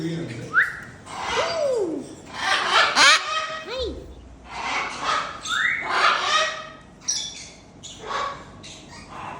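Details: Blue-and-yellow macaws in cages at the Dubai Pet Market give harsh, raspy squawks in overlapping bursts, mixed with short whistled notes that swoop up and down; other birds and faint voices sound in the background.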